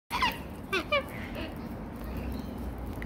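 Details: Australian cockatoos at feeding time, with a bush turkey nearby: a short harsh harmonic squawk, then a quick pair of bent, falling calls about half a second later, over a steady low rumble of background noise.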